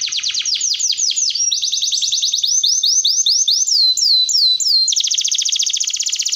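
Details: Canary master song, sung long and vigorously as a lure: fast trills alternate with a series of slurred, bouncing whistled notes, ending in a dense rapid rattle of tiny chips.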